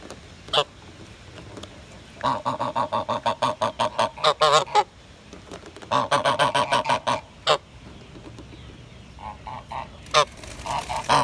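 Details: Long series of rapid, evenly spaced nasal honks from grey geese, several callers overlapping in dense runs, with quieter softer honks near the end and brief pauses between bouts.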